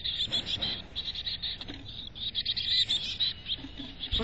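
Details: From a North Vancouver nest box, a chickadee keeps up dense, high, twittering chirps in pulsing bursts, breaking off briefly near the middle, with occasional knocks and rustles against the wood.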